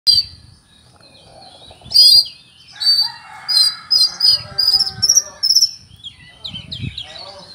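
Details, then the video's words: Oriental magpie-robin singing a song full of cricket mimicry: loud bursts of high, ringing notes and sharp chirps, a buzzy trilled passage in the middle, then quick rising whistles, with a soft low hum underneath. "Kacer mewah full isian jangkrik"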